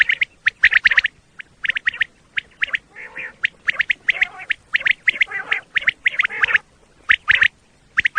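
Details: Quail lure calls for hunting in Pakistan, common quail giving crisp, rapid triple notes in close bursts, broken by a few rougher, nasal buzzes in the middle stretch.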